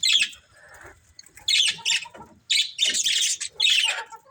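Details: Budgerigars of a breeding pair give loud harsh squawky chirps in separate bursts, with softer lower chatter between them.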